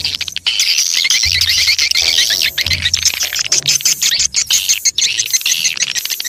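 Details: Swiftlet chorus used as a lure: high, thickly overlapping twittering chirps and rapid trills run without a break, over a faint low throbbing hum.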